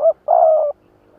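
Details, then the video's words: Decoy spotted dove calling against rivals in lụp đờn cò style: a short coo followed by a longer, slightly falling, husky coo, then a low background hum. "Tiếng chim mồi lụp đờn cò đấu bổi"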